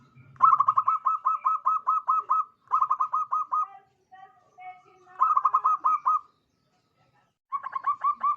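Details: Crystal-voiced local zebra dove in full song, kept as a lure bird: bursts of rapid, clear, bubbling coos, each burst of roughly six to ten notes, separated by short pauses, with a few softer notes between.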